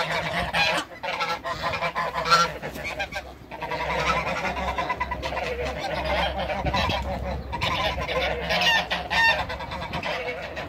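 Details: Two Toulouse geese kept in a backyard honk in ragged, overlapping bursts against a noisy background, with a constant low drone running underneath throughout.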